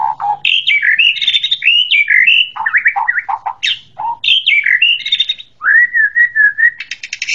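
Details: White-rumped shama in full song, a loud, varied flow of fluty whistles, quick chatters and buzzy notes, ending in a run of repeated mid-pitched whistles and a harsh buzz.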